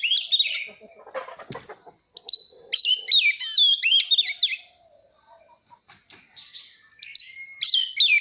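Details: Oriental magpie-robin song aimed at training juveniles' voices and inciting singing contests: loud twisting whistled phrases in two main bursts, a brief rustle early on, quieter notes between.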